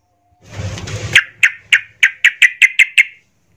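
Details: Yellow-vented bulbul in agitated, emotional singing used to provoke other bulbuls: a noisy rustle, then about nine sharp, clipped notes repeated quickly in an even chattering series.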